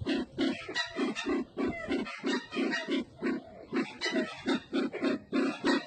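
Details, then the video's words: Red-eyed bird from Sumatra giving a rapid series of low, grunting notes, roughly three per second, in two bursts separated by a brief pause, with a rough, noisy upper edge to each note. "Suara burung merah mata Sumatra"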